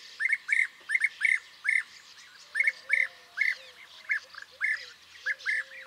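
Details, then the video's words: European bee-eater giving a steady stream of throaty, rolling 'prruip' notes, often doubled, repeated several times a second with brief gaps, other bee-eater notes faintly behind. "Vogelstimmen: Der Bienenfresser - Bee eater - Merops apiaster"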